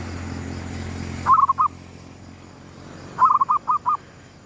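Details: Zebra dove cooing in the gedong mengo style, a lure sound, at sunrise: two phrases of soft, fast-stuttered low coos, the second longer with a few spaced trailing notes, over steady background hiss.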